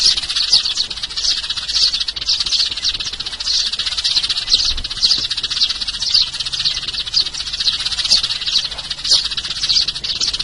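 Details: Lure recording of sparrows: dense high chirping with louder notes recurring about every second, steady and unbroken.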